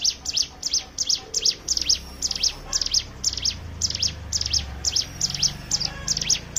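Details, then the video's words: Hill prinia (ciblek gunung) singing in ngebren style, used as a lure to get other birds singing: a fast run of sharp, high, down-slurred chips, about three per second, steady and insistent over a low background rumble. "pancingan ciblek gunung bahan ombyokan"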